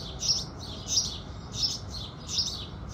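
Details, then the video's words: At sunrise, house sparrows chirp in a lively, evenly spaced run of short, piercing high notes, about one and a half each second, above a quiet, steady low rumble. "Sparrows Singing"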